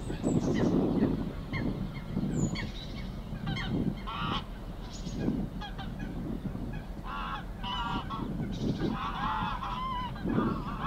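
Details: At Getterön on 20 April 2022, a mother Greylag Goose swims with her goslings, giving repeated harsh, nasal honks in clusters, some with a rising tail, beneath faint high peeping, over constant wind and water noise.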